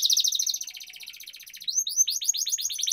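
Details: Rolling canary song (ngerol) used to stimulate lazy canaries: a quick, slightly softer stuttering trill of high notes, then a rising whistle and livelier downward-sweeping chirps.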